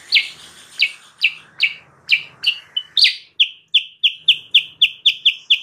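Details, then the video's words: Recording of sooty-headed bulbul meant to draw in wild birds: spaced downslurred chirps at first, then a faster, even string of clear chips about three per second. "suara burung kutilang sutra gacor"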